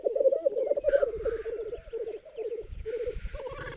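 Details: Black grouse lekking with hens on a raised bog in Berezinsky Biosphere Reserve: choppy low bubbling phrases with short pauses between them, and hissing sneezes in the background.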